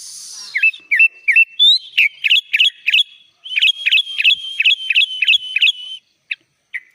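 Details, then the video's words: Vigorous sooty-headed bulbul song full of inserted phrases, used for training birds: hooked, downslurred whistles repeated about three per second, then a steady string of looping notes over a thin high tone, closing with two isolated chips. "SUARA BURUNG KUTILANG GACOR FULL ISIAN"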